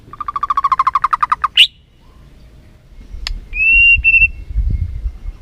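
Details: Rapid rattling series of about fifteen identical notes from a white-rumped shama, then a sharp squeak and a clear, level whistle. Meant as a lure to stir a sluggish bird, with faint low rumble behind.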